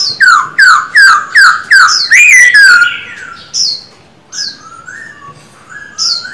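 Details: Male Silver-eared laughingthrush kept as a cage bird, singing in a training session: six loud, evenly spaced, downslurred whistles about twice a second, then quieter sliding whistles and high thin notes.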